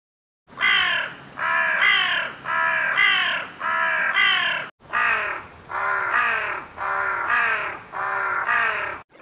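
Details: Crow; caw; announcing waking at dawn or asserting territory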